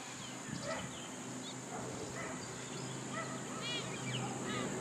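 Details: A flock of Red-tailed Black Cockatoos roosting in a tree by a highway near Cairns, North Queensland, in February, give scattered harsh, rolling, trumpet-like calls over a steady high insect hiss and background noise.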